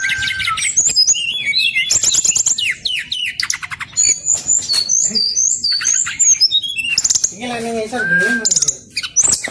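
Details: Brown-chested jungle flycatcher, male, in long 'ngeroll' rolling song: fast varied high chirps, trills and whistled slurs, broken by a few harsher squawky notes and a lower warbled phrase near the end.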